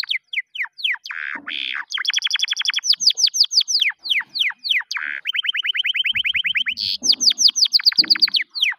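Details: Canary song used for training other canaries to sing; loud, fast trills of sharp descending whistled notes in rolling tours, switching between slower and faster runs, with brief buzzy bursts and no other sounds.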